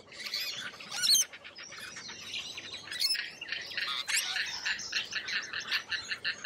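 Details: Lorikeets in Australia screech and chatter in harsh, shrill bursts, several birds overlapping almost without pause, with a sharp louder squawk near the start.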